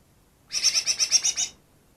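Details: Greater green leafbird, a wild bird caught two days before and said to copy ten other species: one rapid burst of about eight harsh, buzzy notes lasting roughly a second.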